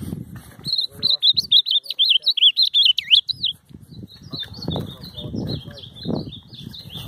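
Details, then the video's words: Ultramarine grosbeak, a "professor" bird, on a field outing (campeada): a rapid, warbled phrase of sweet, varied notes lasting about three seconds, then softer scattered notes under thumps, handling noise and voices. "Campeada com o Azulão Professor"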